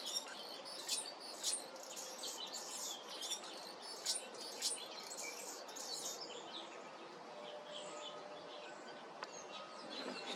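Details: Hummingbird chirping: rapid bursts of thin, high, squeaky chips in dense clusters through the first six seconds, then a quieter stretch with faint scattered tones over steady outdoor background hiss.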